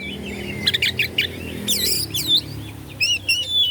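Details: Kacer (Oriental magpie-robin) from Bandung sings to provoke other birds in quick high chirps and looping whistled sweeps, dense in the middle, with wavering notes closing the phrase.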